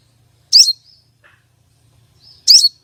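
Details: A female common iora gives a lure call to rouse males for contests: two harsh, buzzy high chirps about two seconds apart, each trailing into a thin whistle.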